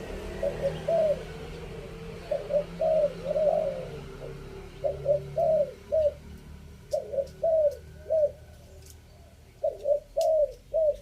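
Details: Repeated three-kuk spotted dove decoy cooing, fifth phrase. About seven phrases of mellow mid-pitched coos follow one another with short gaps. A few faint clicks are audible.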